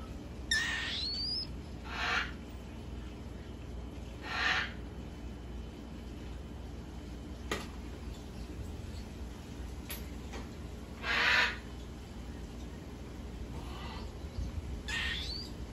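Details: Almost fully weaned, hand-fed baby cockatiels on one feeding a day give harsh, raspy, hissing calls in short bursts spaced a few seconds apart.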